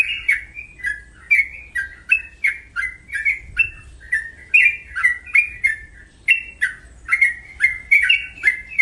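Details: Sooty-headed bulbul, known locally as trucuk, giving loud, bubbly chirping notes repeated rapidly, roughly two or three per second, with each note a short slurred phrase, against a quiet background.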